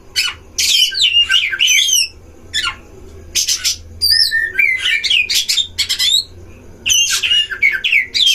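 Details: Oriental magpie-robins in a breeding cage, song duel used to provoke others of their kind: loud varied whistled phrases, harsh scratchy bursts and a few gliding pure notes, with short pauses between outbursts.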